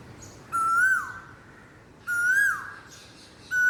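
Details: Koel giving rising whistled calls that swell, then drop away sharply, repeated roughly every one and a half seconds, a third call starting at the end; quiet background.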